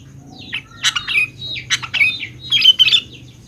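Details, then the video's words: Sooty-headed bulbul song used to coax young bulbuls into responding: several short bursts of sharp, bubbly whistles and chirrups in quick succession, with a faint low hum behind. "BURUNG KUTILANG GACOR | dijamin 100% nyaut GACOR kutilang muda anda"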